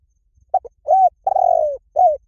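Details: Spotted dove coo phrase used for luring: two brief opening notes lead into a smooth arched coo, then a drawn-out, faintly burry falling coo and a closing short downslurred coo, clean and close.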